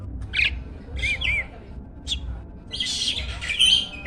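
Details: Starling kept as a champion contest bird, its song used as a training lure for songbirds: scattered harsh squawks, short rising and falling whistles and buzzy bursts, over a steady low background rumble.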